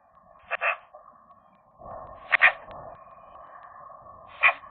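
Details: A young magpie couple flirting in their nest during January: three harsh, rasping bursts spread over about four seconds, the middle one doubled, with soft rustling and a steady hum.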